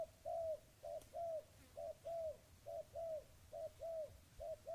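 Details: Mellow, repeated coos from a spotted dove, low hollow notes in twos and threes, a longer drawn note then a shorter one, about once a second, over faint background rumble.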